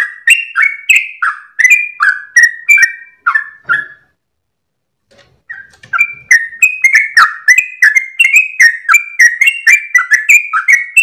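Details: Sooty-headed bulbul at dawn, gacor ropel long song for masteran training: quick whistled phrases for four seconds, a short silence, then a denser, faster stream of rising and falling whistles.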